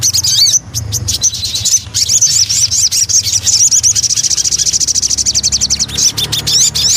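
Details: Javan cochoa, lure song: varied high twittering and zigzag notes building into a long rapid pulsing trill, with loud chips at both ends.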